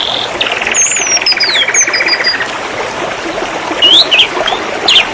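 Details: Singing canary on a master recording for training birds: a long rolling trill sliding gently down for two seconds under high whistled slurs, then sparse sharp chirps, with hiss throughout.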